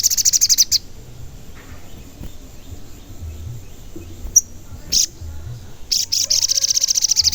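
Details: Crimson sunbird in full song, a lure recording meant to make other sunbirds sing, get worked up and answer, also for luring wild birds. Rapid high buzzy trill of evenly repeated notes opens and closes, quiet pause between with faint low background hum.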